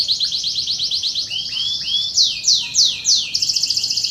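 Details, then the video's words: Contest-training and lure song of a canary, meant for show birds and young birds: rapid rolling trill, a few rising whistled notes, three sharp downward-sweeping notes, then a quick buzzy rattle, all high-pitched and clean. "SUARA BURUNG KENARI | PANCINGAN DAN MASTERAN BURUNG KENARI KONTES DAN BAKALAN"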